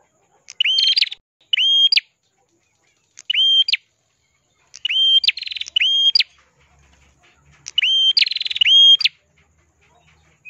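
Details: Ashy prinia, the red-headed prenjak kelawu, singing tirelessly as tutor material for other songbirds: five bursts of clear level whistles, each ending in an abrupt rising flick, some with a fast buzzy trill between. Gaps of about one second separate the bursts.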